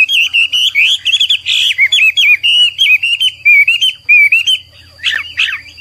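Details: Chinese hwamei (Garrulax canorus) giving persistent, energetic training song: rapid rippling whistles and wavering notes run together, then a couple of harsh bursts near the end, with a faint low hum beneath.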